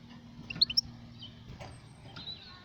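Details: Goldfinch calling: a quick cluster of three or four bright, high chirps in under half a second, then a few softer high notes, over a low steady background hum.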